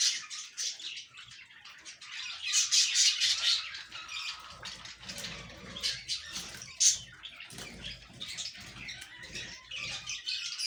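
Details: Breeding budgies give a long run of bright, squeaky chirps and warbles, densest early on, then sparser scratchy notes with a sharp peep near the middle.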